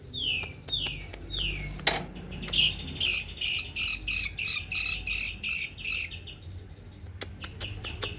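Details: Male white-rumped shama, fast dense pentet-style song: three falling whistles, then about nine buzzy high pulses in a steady rhythm, ending in faint clicks.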